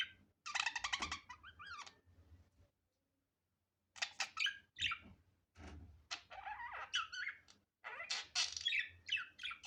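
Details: Budgerigar, natural sound without editing: loud scratchy squawking bursts separated by a pause of about a second, with a low background hum underneath.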